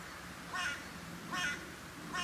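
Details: A carrion crow arriving at a feeding site on a cold, dry January afternoon around half past two, near 0 °C with a south-southwest wind, gives three harsh, hoarse caws about every three-quarters of a second over quiet background noise.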